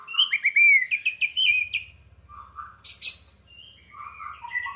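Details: Lure recording of an orange-headed thrush meant to set birds singing quickly; fluid whistled warbling runs, then a sharp high burst and lower mellow phrases, with a faint low rattling hum underneath.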